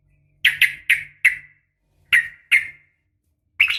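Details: Female sooty-headed bulbul calling a male in a fighting sound: a quick run of four sharp chirps, two more spaced notes after a pause, then a final clustered burst, with a faint low hum behind.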